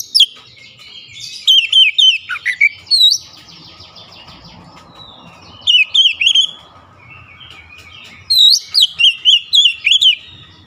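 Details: Oriental magpie-robin singing three separate volleys of fast, ringing whistled notes with hooked pitch bends, the gaps between them filled by a soft hiss of background noise.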